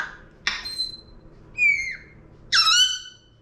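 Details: Male Congo African Grey kept as an indoor pet, imitating a cough: one sharp breathy burst, then a falling whistled squeak and a loud, harmonically rich squawk-like note, heard indoors.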